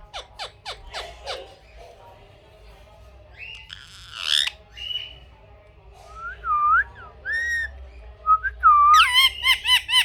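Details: Pet parrot producing a string of sharp clicks, then a hoarse squawk and dipping whistled notes, ending with a loud chattering run of screeches.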